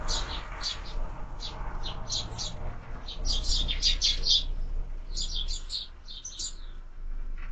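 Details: Sparrows chattering at a bird feeder on a bird camera: clusters of sharp, high chirps, loosely repeated about four times a second, busiest in the middle and near the end, over low background rumble.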